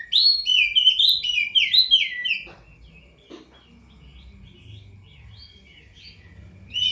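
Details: Caged prinia kept for song contests and bathed nightly, singing a rapid burst of sharp, twittering notes that jump between high and mid pitch for about two and a half seconds, then near silence before a short new burst.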